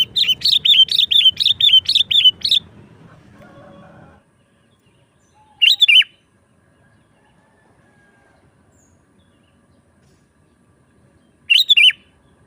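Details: Sooty-headed bulbul in lively 'gacor nggaruda' song, used to lure wild bulbuls and as a tutor for caged ones: a quick series of rich chirping notes for about two seconds, then quiet broken by two short bubbly phrases.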